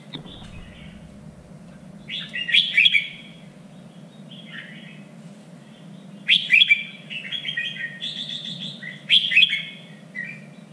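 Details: Contest-training song of a red-whiskered bulbul in the standard three-region voice: three loud, lively bursts of chattering, whistled notes with softer warbles between, over a constant low background hum.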